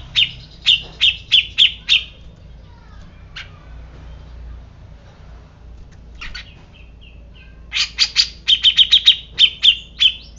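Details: Grey-cheeked bulbul: a quick run of harsh, buzzy notes, then sharp repeated high chips. After a quiet gap with faint notes, a fast burst of rapid ringing chips follows.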